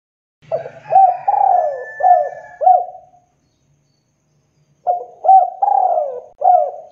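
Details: Spotted dove (tekukur) lure call used to provoke rival birds into answering: a mellow, hollow cooing phrase of several hooting notes, a long drawn middle coo sliding down, then a pause of nearly two seconds before the phrase repeats.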